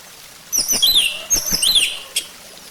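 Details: Orange-headed thrush song, used as a lure to make another bird sing: two bursts of rich, varied whistled and twittering phrases with rapid rising and falling notes, separated by a short pause, then a single sharp note.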